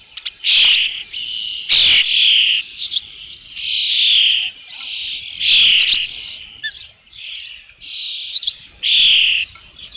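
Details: Loud, shrill, drawn-out whistled cries from an Osprey at its nest with a fish, Dunrovin Ranch, early evening of 3 June 2018, coming in an uneven string, some notes sharp and harsh.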